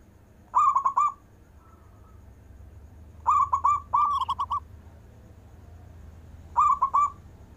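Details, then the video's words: Local zebra dove singing long-breath coos, meant to call lazy doves: three separate bursts of rapid, bubbling mid-pitched notes a few seconds apart, with a faint steady tone between them. "Perkutut lokal istimewa manggung nafas panjang,cocok untuk manggil perkutut malas"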